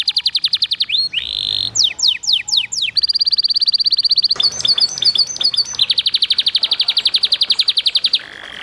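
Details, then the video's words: Vigorous canary training song with trickling water, aimed at getting canaries to sing often: pulsed trills, a run of steep descending whistles, dense high rattles, then an extended, very fast metallic trill. "MASTERAN Kenari GACOR CENGKOK MERDU Di Sertai GEMERICIK AIR Cocok Buat TERAPI PANCINGAN RAJIN BUNYI"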